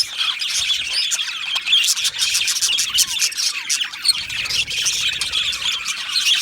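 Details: Budgerigars in an aviary colony, Australian budgie parrots, giving a dense continuous chatter of high squawky chirps and warbles with no pauses, many birds calling at once.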